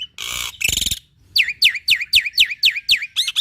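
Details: Black-winged myna in full song, played to prompt other mynas to sing: after two brief harsh buzzy bursts, a run of eight sharp downslurred whistles repeated about four times a second, each dropping steeply.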